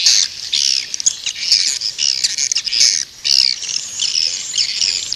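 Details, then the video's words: Swiftlet call for attracting birds, heard as near-continuous high, squealing chatter in loud bursts of about a second, broken by brief pauses. "Suara burung walet panggil 7"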